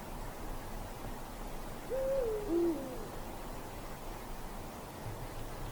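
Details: Eurasian eagle-owl hooting on a deep winter night in a forest: a single low, two-part call, a level hoot sliding down into a shorter, lower note, standing alone against a steady background hiss.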